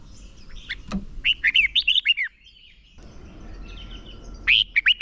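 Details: Red-whiskered bulbul as a contest-training decoy, singing its fighting song; a long phrase of bright warbled whistles, a pause, then a fresh burst of loud notes at the end, with faint background chirping.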